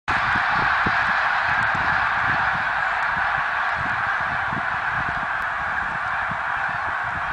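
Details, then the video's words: Snow geese recorded in 2014: a huge flock raising an unbroken, dense wall of overlapping honks and yelps, steady in loudness throughout, with faint low thumps beneath. "Snow Geese song & dance 2014"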